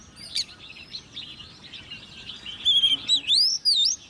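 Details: A caged, hand-reared 10-month-old Oriental magpie-robin sings in competitive song, with clear, sweeping, rising and falling whistles, bright chirps and slurred phrases in quick succession over faint background hiss.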